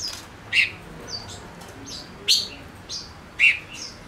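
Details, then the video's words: Caged male silver-eared mesia decoy giving high, scattered chirps and short buzzy notes at irregular intervals, some louder and downslurred, with faint low background noise. "Chim ngũ sắc mồi hót cực hay kích bổi nhanh nổi | chim ngũ sắc hót | ngũ sắc trống"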